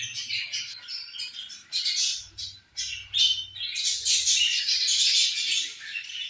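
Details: Budgies sharing food and playing, their calls a steady wash of high squawks and rapid chirps that swell into a dense, continuous chatter toward the end.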